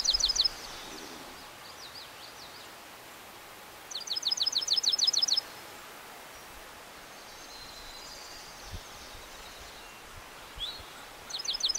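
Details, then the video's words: Dark-eyed Junco singing on Mount Rogers, Grayson County, Appalachian mountains of Virginia: a rapid, high, even trill of one repeated note lasting over a second, recurring every several seconds, with faint chirps of other birds between. "Dark-eyed Junco singing"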